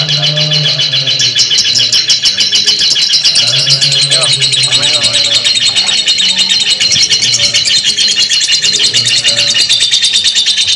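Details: Lovebird in extended ngekek: sustained rapid high chattering that runs throughout, with brief lower warbled notes mixed in and a low background hum.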